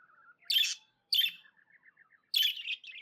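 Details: Happy pet budgie: three loud harsh chirps over soft, quick, low warbled notes running between them.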